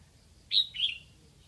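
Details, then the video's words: Red-whiskered bulbul decoy bird from Lang Son, Vietnam, calling to lure wild birds: a short two-part phrase, a bright high note followed by a slightly lower slurred whistle, lasting about half a second over quiet background. "Mào mồi gáy kiểu này liệu có gọi được bổi không đây?"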